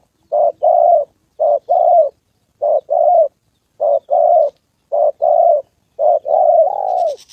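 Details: Decoy spotted dove in a trapping session against a wild fighting male, a female also coming down: steady paired coos, short note then longer one, six pairs, ending with a drawn-out falling coo and a high chirp.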